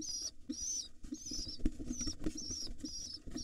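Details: Nestling rock pigeons, wild in a nest box, give drawn-out high squeals as their father feeds them, mixed with thumping, scuffling movement and low fluttering.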